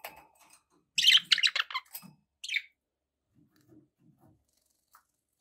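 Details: Budgerigars kept as pets, with background noise: a sharp flurry of scratchy chirps and warbles, one more short chirp, faint low murmurs, then quiet until a final call at the end.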